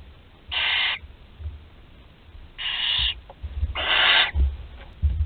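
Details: Barn owl chick, thirteen days old, swallowing whole prey at Théding, France, 20 July 2020: three breathy, rasping hisses, the last one longest, against a quiet background with faint thumps.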